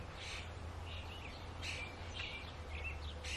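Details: Robin chicks being fed by their mother, giving short, harsh, noisy bursts of begging calls about four times across a few seconds, some with a brief squeaky slide, over a steady low hum.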